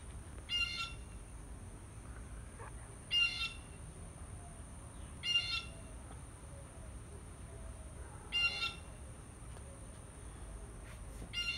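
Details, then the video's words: Blue jay in Texas gives five harsh, nasal jeer calls, each about half a second, spaced two to three seconds apart, over a steady high insect-like whine. "Blue Jay sound"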